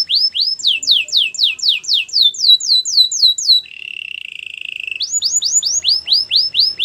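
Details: Canary training song: a long run of fast, regular downward-slurred whistles, a lower buzzy roll, then more rapid sweeps at a slightly higher pitch.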